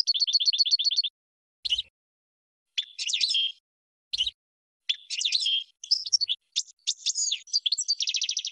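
A goldfinch sings a bright, tinkling song: a fast trill, then jumbled twittering phrases and buzzy notes, ending in another rapid trill.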